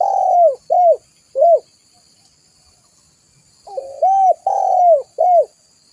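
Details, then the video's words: Spotted dove used as a lure, giving a falling coo then two short arched notes, a pause of two seconds, then the same phrase again, clear against a quiet background. "Suara burung tekukur gacor buat Pikatan"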